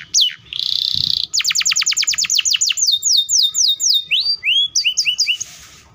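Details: Canary song with a long, fast roll meant to set other canaries singing: a buzzy burst, then rapid descending whistled sweeps repeated several times a second, followed by rising and falling chirps.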